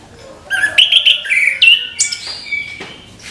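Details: Orange-headed thrush in the morning giving a short run of clear, level and slurred whistles followed by a couple of high thin notes.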